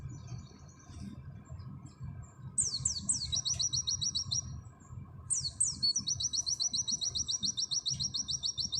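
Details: Fast 'nembak' song of an Oriental white-eye, auri type, with canary-style fill: two phrases, each starting with a few high downward-sliding notes that break into a long, rapid series of evenly spaced chirps.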